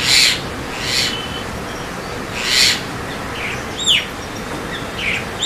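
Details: White-vented myna, or Javan myna: a rapid series of harsh rasping bursts, then a sharp downward whistle and softer chirps toward the end, over continuous background hiss.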